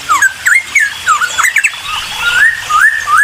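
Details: Cucak timor singing to spur other birds into answering: a varied mix of looping whistles and quick slurred notes, then longer smooth rising whistles, with some faint background hiss.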